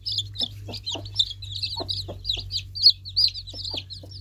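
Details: Baby chicks chirping continuously: many high, short peeping notes, several per second, over a steady low hum, with occasional soft lower clucks.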